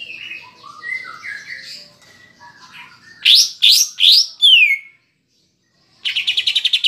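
A varied leafbird song: sliding whistled phrases, then three loud buzzy notes and a falling sweep. After a pause comes a fast, scratchy, repeated chatter.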